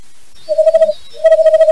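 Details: Western Screech-Owl, a nocturnal cavity- and nest-box-nesting owl of Idaho, giving two quick runs of soft, mid-pitched hoots at about ten per second; the second run is longer, over a quiet background.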